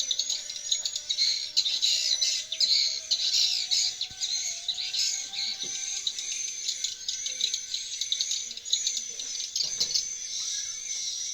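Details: Inside a nest house as swiftlets return, a busy flood of shrill chirps and rattling trills pours on throughout, loudest in the first seconds, over a steady faint hum.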